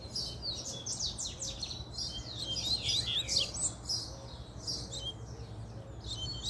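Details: Excited male double-collared seedeater pouring out a continuous rapid song of high twittering, slurred and trilled notes, with a constant low mechanical hum underneath.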